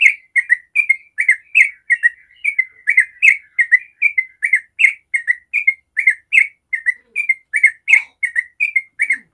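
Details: Lure song of a yellow-vented bulbul to make other bulbuls sing back: a long, continuous run of crisp, bubbling two-part whistled notes, evenly spaced and energetic, keeping up a steady chattering rhythm.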